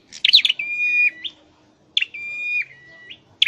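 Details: Scarlet-headed flowerpecker kept in a cage for singing training: a cluster of quick chirps, then a held flat whistle dropping slightly at its end, repeated once after a short pause.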